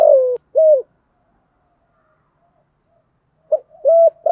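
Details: Decoy spotted dove cooing to provoke and lure wild doves. Two deep, mellow coo notes open the clip and, after about three seconds of silence, a similar pair of hollow coos follows. No other sounds.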